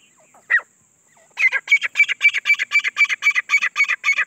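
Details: A single harsh note from a grey francolin, then, after a pause, a steady train of about twelve evenly spaced, loud, ringing notes over three seconds.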